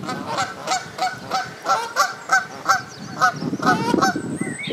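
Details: Canada geese bathing on the South Pond in Midhurst, West Sussex, England, give nasal, harmonic honks repeated roughly three times a second in an uneven series, with a low rumble of water and background noise.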